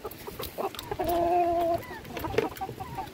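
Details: A hen among a feeding flock gives one drawn-out, steady, tonal call lasting under a second, framed by short clucks from other birds and light scratching sounds.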